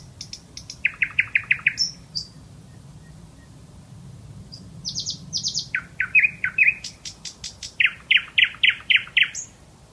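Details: Bulbul singing: bursts of rapid, evenly repeated chirping notes, some clipped and buzzy, others sharper and higher, in several runs separated by brief pauses, over faint low background hum.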